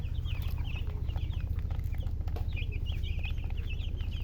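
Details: Baby chicks chirping: a continuous stream of high, thin, rapid peeps, several birds overlapping, about three to four notes per second, over a strong steady low hum.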